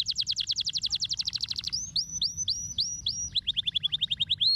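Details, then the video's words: Canary song opening with a rapid dense trill, then a few loud looping whistled slurs, finishing with a quick series of short rising chirps; low background hum throughout. "MASTERAN BURUNG KENARI HANDAL"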